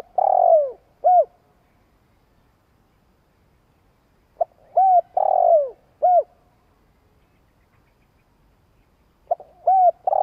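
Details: Decoy spotted dove cooing to stir up wild doves: three soft, hollow phrases about four seconds apart, each a drawn-out falling coo flanked by short clipped coos, with quiet between them.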